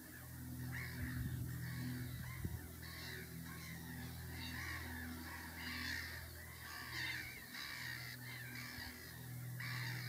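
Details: Northern lapwing parent with chicks giving harsh, wheezy calls, arched in pitch and repeated roughly every second, over a steady low engine-like hum.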